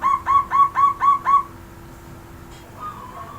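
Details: Loud, powerful zebra dove call: six clipped, bubbling coo notes in quick, regular succession, fading into a faint whistled note against a low background hum.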